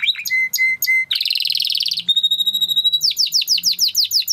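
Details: Timbrado canary singing for training: level whistled notes, a dense buzzy roll, a long pure steady whistle, then fast repeated falling notes.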